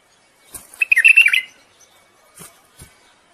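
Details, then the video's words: Courting bulbul singing to rouse a female for breeding, a half-second run of bright, bubbling whistles rising and falling, followed by two soft clicks. "تغريد بلبل للتزاوج وتحفيز الأنثى على الجهوزية."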